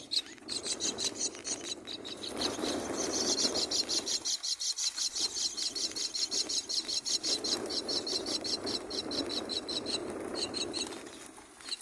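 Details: Four myna chicks in the nest being fed by their mother beg with harsh, raspy, high calls, repeated quickly at about three per second, over a low background murmur.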